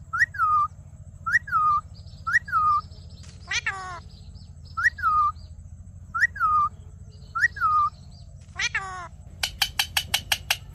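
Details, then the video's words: Ring-necked parakeet talking: the same upward-then-downward whistle given six times at regular spacing, two harsher sweeping calls in between, and a quick string of sharp clicks at the end. "Amazing Parrot Video Talking"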